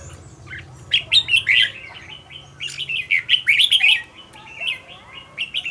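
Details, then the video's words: Captive red-whiskered bulbul kept as a decoy and trained to sing fast and fiery: bursts of short warbled, slurred whistles clustered around 1.5 and 3.5 seconds, with quieter notes between and a steady faint hum underneath. "Cách luyện chào mào mồi - Hót hay nhanh lửa, Căng"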